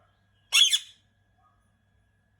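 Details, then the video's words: An Indian ring-necked parakeet gives one harsh, rasping screech of about half a second, then a second screech starts at the very end; otherwise quiet. "parrot sounds | ring neck parrot"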